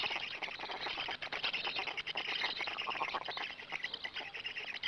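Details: Black stork feeding visit at the nest, Gemenc, 13 May 2017 in the evening; noisy hissing rasps with irregular pulses and a few thin high squeaks mixed in.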